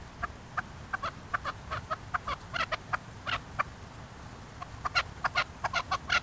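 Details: Chukar partridges of Qubodiyon with bursts of sharp, clucking chuk notes, clustered in quick runs with short pauses between, loudest near the end, over steady low background noise.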